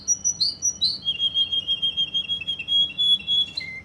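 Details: Russian canary from Kuwait giving a loud rapid song: a few high whistled notes, then a fast even trill of about three notes per second rolling on, ending in a lower whistle.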